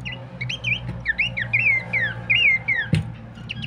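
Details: Horsfield's babbler singing as a lure and master recording for training birds: a lively series of swooping, slurred whistles about twice a second, with a single sharp knock partway through.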